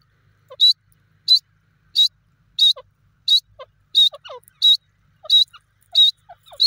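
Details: Grey francolin (teetar) calling: loud, sharp, high notes repeated steadily about every two-thirds of a second, each a short burst, with softer lower notes between them and a quiet background.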